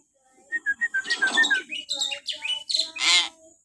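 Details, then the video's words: Hill myna calling shrilly in the morning for training captive birds: a row of short clear pips runs into harsh, buzzy, noisy calls that finish with a loud rasping note. "suara burung beo melengking,cocok buat pancingan untuk terapi beo bahan di pagi hari"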